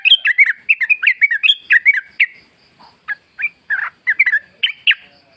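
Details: Wild sooty-headed bulbul singing in the forest, used as a lure recording. Quick bubbly warbled notes in short clusters, then a pause and scattered single phrases.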